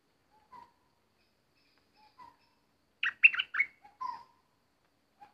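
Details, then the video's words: Decoy bulbul used in bird trapping while an uninvited intruder turns up; a few soft, low whistled notes, then a sudden loud burst of quick, scratchy chattering phrases, then soft whistles again. "Burung merbah lekir bay hoach thom gacor bahanan"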